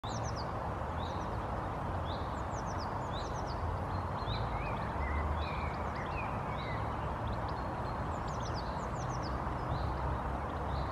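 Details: Two common starlings foraging on a lawn in Helsinki, Finland, April 2022, chatter steadily with short high chirps, clicks and thin whistles, some sliding, over a constant low rumble of traffic.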